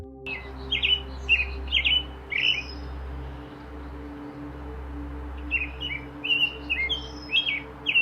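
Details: American robin (Turdus migratorius) song, heard around 6 a.m.: short, clear, warbled phrases, about a dozen in eight seconds, with brief pauses between groups over a steady low hum.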